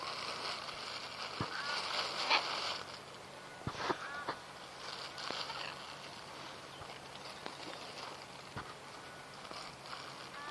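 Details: Sulphur-crested cockatoo gives a loud, harsh, grating screech lasting about three seconds, followed by softer scratchy notes and scattered clicks.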